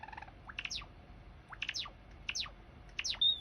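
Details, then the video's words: Java sparrow song used to prompt a quiet bird into singing: short soft clicking notes followed by repeated falling chirps in bursts, ending in a thin high whistle. "Pancingan Gelatik Jawa Malas Bunyi"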